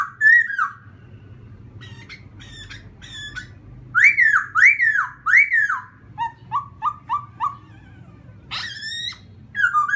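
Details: Varied laughingthrush song used to stir up another bird. Opening whistles give way to sharp clicking notes, then three loud arched whistles and a quick string of four short lower notes, with scattered clicks and a faint hum.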